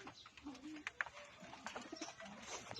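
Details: Pigeons being fed, giving soft low coos among many sharp clicks and pecking taps, with faint background chatter.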